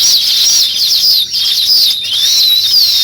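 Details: Nest-building weaver birds making steady, high-pitched buzzy twittering with wavering squeaky slides. The chorus briefly dips twice, then the constant chatter resumes.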